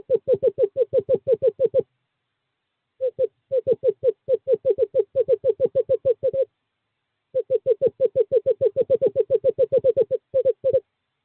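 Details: Male screech owl at a nest box in courting season, 2/11/2023, calling for a female: three long trilling runs of fast, evenly spaced hollow notes, separated by pauses of about one second.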